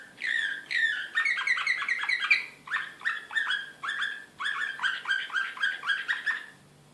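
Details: An excited canary singing Serbian slavujar-style song in Belgrade, 2016, links varied tours without a break: looping chirps, then quick stuttering doubles, then rhythmic downslurred notes repeated about twice a second.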